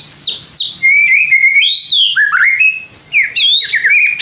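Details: White-rumped shama song used to provoke other shamas into responding: varied whistled phrases around mid-high pitch, sliding notes and quick chirps, with short pauses between bursts.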